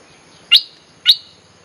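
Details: Bulbul sound used as a lure for wild birds: two sharp, high, upslurred notes about half a second apart, each trailing into a brief thin whistle.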